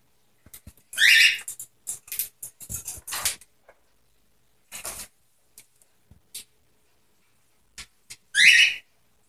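A cockatiel gives two loud, harsh, rising screeches about seven seconds apart, with soft clicks and rustling in between.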